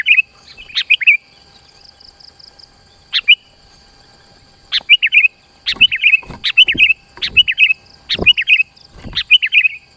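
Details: Actively singing sooty-headed bulbul, a lure recording meant to pull rivals near and train kept birds: clipped warbling bursts, sparse at first, then delivered in quick succession, with low knocks beneath some phrases.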